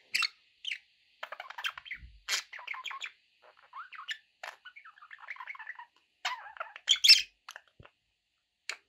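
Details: Pet budgerigars chattering softly: strings of quick clicky chirps and warbled notes, a brief low thud, and a louder squawk near the end.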